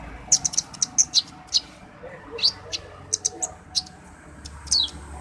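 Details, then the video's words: Song of an orange-headed thrush (konin dacok): a fast series of piercing high tweets, several short downslurred notes, then scattered chirps spread over a few seconds against quiet hiss. "konin dacok enak di bawa santai"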